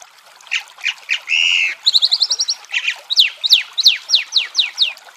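A chalk-browed mockingbird sings a varied string of phrases: short notes, a harsh buzz, a quick chattering trill, then a run of sharp, downslurred whistles, over a soft steady hiss.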